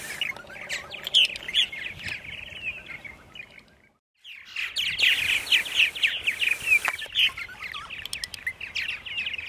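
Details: Spring morning chorus of purple martins in Center Moriches, Long Island, New York, at 8:30 AM, 14 April 2012: busy throaty warbles and crackling chirps from several birds, broken by a brief silence midway before resuming.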